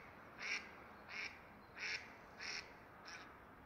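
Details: In February, a rose-ringed parakeet (Psittacula krameri) near its nest gives five harsh, grating squawks about two-thirds of a second apart over faint hiss. The pair is nesting and mating, and the male feeds the female while jackdaws lurk nearby.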